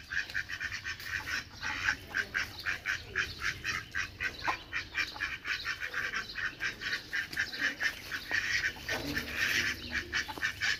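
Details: Loud duck quacking in a rapid, steady run of harsh nasal notes, about two each second, with a few deeper calls near the end and a low background hum.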